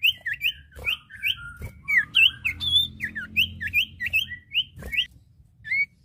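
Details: Male and female Common Iora in lively exchange: a busy stream of short hooked whistles and overlapping chirps from both birds, delivered about three per second, with a few soft clicks.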